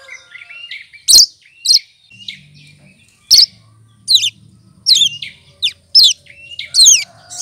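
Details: Leafbird known locally as cucak kinoy, a melodious mimic of other birds, giving scattered high chirps, then rapid descending whistled slurs; a faint low hum runs underneath.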